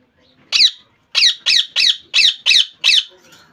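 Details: Kept rose-ringed parakeet giving one screech, a pause, then six loud, harsh screeching calls in fairly even succession, each sharply rising and falling.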